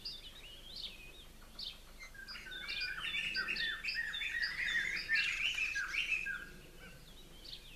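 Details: Fledgling Blue-crowned Laughingthrushes, a pair that left the nest the previous day, beg from the top of a conifer in an aviary while being fed; sparse chirps build into a loud burst of excited squeaky notes midway.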